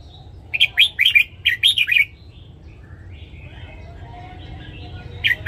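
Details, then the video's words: Caged red-whiskered bulbul singing a morning training song: a run of about seven bright, liquid, up-and-down notes, a quiet gap with faint chatter, then the start of another phrase, low background rumble. "Luyện giọng chào mào hót sáng DÙNG ÉP BỔI / ép má trắng"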